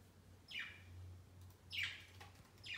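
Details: Budgerigars kept as pets perched on a Christmas tree beside their cage on Christmas Day; harsh, falling chirps repeated roughly every second, over a low steady hum.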